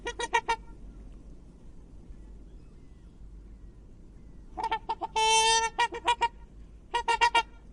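A swan gives brassy, nasal trumpeting in quick bursts of three to five honks, with one longer drawn-out note in the middle; the background is otherwise quiet.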